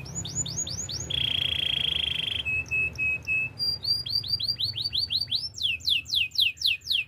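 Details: A Belgian canary sings a training song for tutoring young canaries: rapid tours of repeated descending whistles, a buzzy rolled trill, clipped notes, then fast swooping sweeps at about four per second.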